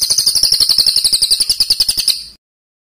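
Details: Bird master recording for competition training: a fast, high, chattering trill of rapid pulses lasting about two seconds, then silence.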